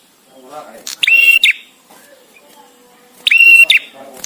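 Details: Male bar-winged prinia visiting, singing with long pauses: two loud phrases about 2.3 seconds apart, each a flat, ringing high whistle bracketed by harsh buzzy clicks, with faint low background noise between them.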